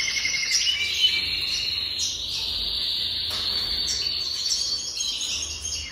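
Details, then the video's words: A jasper canary sings a continuous, even rolling trill at a steady pitch, with brief higher flourishes now and then, unbroken for the whole stretch over a soft low background hum. "Chant Canari Jaspe"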